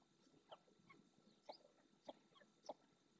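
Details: Ringed red-knobbed coot on the Doñana marshes in Spain uttering sharp single 'kuk' notes roughly every half second, with softer faint calls and a low background hiss between them.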